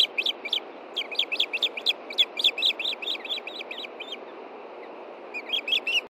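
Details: Female osprey at dusk, 9:53 p.m. on 22 June 2013 in Montana, calling for fish while her mate hunts nearby; busy, uneven series of high piping chirps with varying pitch, a short gap, then a few more notes.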